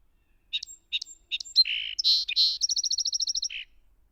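A Song Sparrow sings: three sharp introductory notes, a buzzy middle, then a fast, even trill of bright high notes ending in a low buzz.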